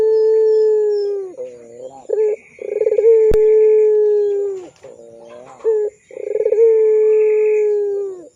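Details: Barbary dove known as puter pelung, in a lure recording for training young doves: repeated long, drawn-out low coos, each opening with rapid pulses, holding steady and slightly falling, separated by lower wavering notes and short bursts.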